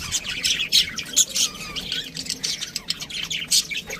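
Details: Budgerigars squawking and chirping rapidly: short loud harsh notes every few tenths of a second amid continuous high warbling chatter.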